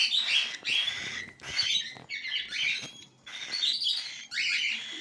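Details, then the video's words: Cockatiel chicks give harsh, wheezy begging calls in long drawn rasping bursts, about five outbursts in quick sequence separated by short pauses. "صغار عصافير الكوكتيل"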